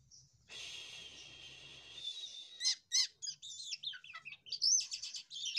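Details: Jalak kapas myna in open 'losdol' song. A two-second hissing rasp opens, followed by choppy chirps and looping whistled phrases that rise toward a shrill, buzzy ending.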